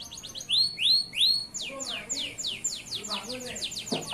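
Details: Male local Atlantic canary song used to train young canaries: three rising whistled slurs, then a fast series of descending sweeps, with faint lower chirps beneath.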